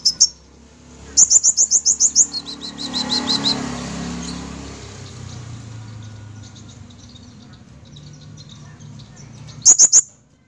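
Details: Sunbird singing in 'gacor' style: bursts of fast, shrill, evenly spaced ticking notes open and close a stretch of low murmuring background noise.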